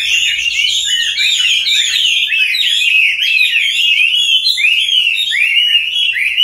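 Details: A Chinese hwamei, hand-raised from a juvenile and now in its fifth year, sings a loud, continuous run of rich whistled phrases, sweeping up and down rapidly with varied slurred notes, without pause.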